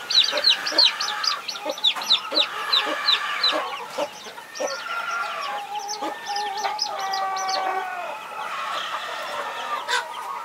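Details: A protective mother hen among her 21 chicks: irregular clucks and several level, tonal, harmonic calls sound under a busy stream of high, slurred chick peeps.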